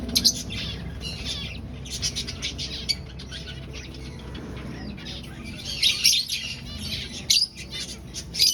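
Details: Colony of aviary finches at breeding time, nest-hunting, calling in irregular bursts of high chirps, quieter in the middle and rising to a loud burst near the end, with some wing flutters.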